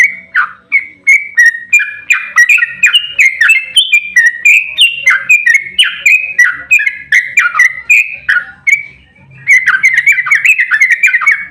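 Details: Yellow-vented bulbul in fighting, agitated mood, singing a long rapid 'ropel' song used as a lure to make other bulbuls answer: dense run of short liquid, bubbling warbled notes, several per second, without pause, with a brief dip near the end.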